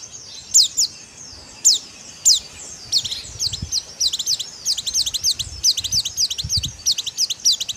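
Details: White-eye in dakbal-style song, played to encourage birds to sing: a few spaced high downslurred notes speed up into a rapid stream of thin, twittering chips, with faint low noise behind.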